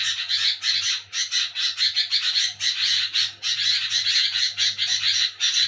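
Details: At night, while people sleep, a sooty-headed bulbul makes rapid, rasping chatter in short bursts with brief gaps, over a steady low hum.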